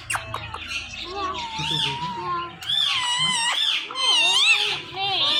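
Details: Talking pet Indian ringneck parakeets, a male and female, during morning sounds. Modulated speech-like phrases and arching harmonic notes, growing louder after the midpoint, with rapid trills toward the end.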